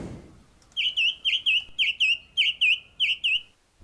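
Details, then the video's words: A male Song Thrush singing from a treetop in the New Forest in spring (March–April 2021) gives a clear, fluty phrase of slurred notes, repeated in quick pairs for about three seconds; he is thought to be celebrating a chick hatching. "so the song thrush is singing from the top of this tree i think he's singing today to celebrate one of his chicks hatching out"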